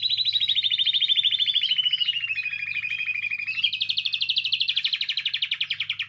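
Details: Canary singing to spur other canaries on: a long, loud, rapid rolling trill that slowly drops in pitch, then jumps higher and carries on as a fast pulsing trill, with a faint hum.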